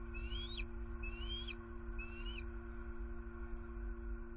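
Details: Bald eagles in Southwest Florida back at the nest at night on high alert, possibly at an owl nearby, vocalizing loudly: three thin rising whistled squeals in quick succession over a constant low electrical hum.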